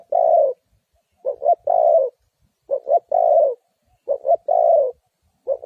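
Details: Trap-lure spotted dove calling over and over. Four full phrases of two short notes and a long soft coo come at about one-and-a-half-second intervals, with no other sounds.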